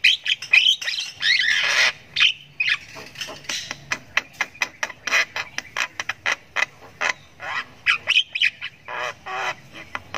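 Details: Javan myna nestling practising its voice with ngriwik chatter: a loud harsh squawking burst, then a long run of sharp clicky chirps and rasps, fast and uneven.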